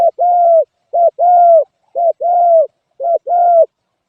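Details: Spotted dove cooing, a regular two-part phrase of a short coo then a longer hollow coo, repeated about once a second in clean, quiet surroundings.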